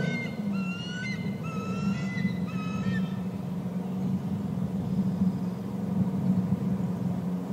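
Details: Adult eagle at the nest calling while eaglets are fed fish: a quick run of thin, high, slurred piping notes, each sliding downward, for about three seconds, over a loud steady low hum.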